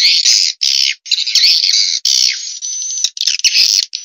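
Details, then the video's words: Vietnamese swiftlet call used to lure swiftlets into bird houses: loud, continuous buzzy twittering bursts, harsh and rasping, broken by brief pauses and a few downward sweeping notes. "Tiếng chim yến kêu đã được chứng minh ||Tiếng chim yến kêu từ Việt Nam"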